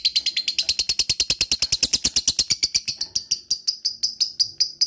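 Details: Ngekek from a lovebird: a dense burst of rapid, scratchy chirps that gradually slows over five seconds, the notes spacing out and thinning toward the end.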